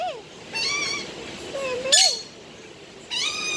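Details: Budgerigar talking and singing: buzzy harmonic notes held for half a second, a low wavering twisted note, a loud sharp crack, then another buzzy phrase.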